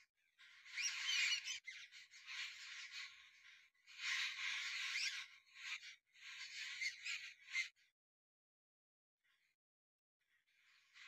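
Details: Jungle babblers in a small group in a tree in winter, a bird of the Indian subcontinent: loud, harsh, rasping chatter in long overlapping bursts of a second or two, separated by short gaps, then a quiet stretch and a new burst.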